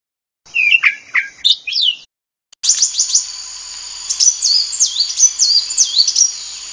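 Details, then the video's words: Sunbird song: a few lower, sweeping chirps, a brief break, then a flurry of very high, sharp ticks leading into repeated thin looping whistles, each note falling and rising quickly. "SUARA BURUNG KOLIBRI WULUNG"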